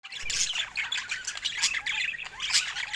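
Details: Colorful pet budgerigars chattering: a dense run of high chirps and scratchy squawks with quick warbled notes, steady throughout and with no other clear sounds.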